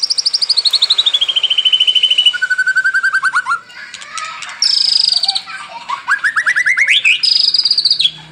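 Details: Lively White-rumped shama (murai batu) song for training caged songbirds, mornings and evenings: a fast, evenly pulsed trill gliding down in pitch, a lower pulsed run, then rising whistled sweeps and a high pulsed phrase.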